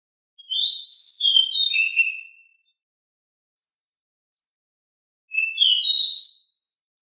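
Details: Lively, very noisy decu (Oriental magpie-robin) singing: two bursts of bright whistled, warbling notes, the first about two seconds long, then a pause of nearly three seconds before a shorter second phrase with upslurred notes.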